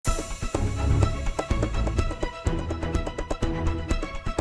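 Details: Loud rhythmic music with heavy bass beats fills the recording, and no animal sounds can be heard.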